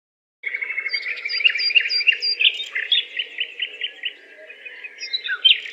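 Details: Several birds chirping together, a dense overlapping chorus of quick high twitters and short trills, with rapid repeated chirps and a faint low hum running underneath throughout.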